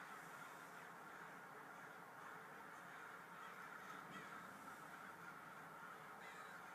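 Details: Large flock of crows gathered at a local mall, their overlapping harsh caws blending into a steady, unbroken roar of calls without pauses.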